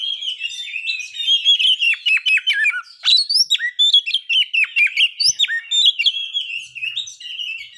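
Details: White-rumped shama song for provoking breeding condition and aggression: a continuous, fast stream of chattering notes and whistles, loud and varied, with a few sharp clicks.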